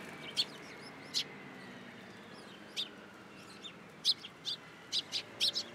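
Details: Sparrows visiting a hand for food at a Tenmangu shrine, 14 April 2023. Sparse, sharp, high chirps spaced a second or so apart, becoming more frequent toward the end.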